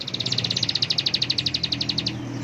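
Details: A bar-winged prinia sings gacor-style with an emotional, full-power ngebren burst: a rapid machine-gun trill of bright, high clipped notes lasting about two seconds before stopping abruptly, with soft low hum behind.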